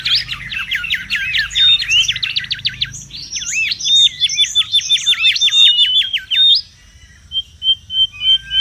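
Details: Wild Mangrove whistler used as lure and tutor: long rapid series of trilled sweeping notes and looping whistles for six seconds, then a pause and soft short whistles.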